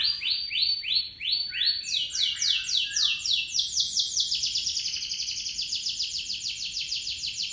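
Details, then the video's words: Local canary singing a long rolled song used as a lure: a few descending whistled sweeps, then a rapid, even trill of repeated buzzy notes held for several seconds, loud and clear over faint low background hum. "Kenari Lokal Super Nge-roll nya tembus 1 Menit up"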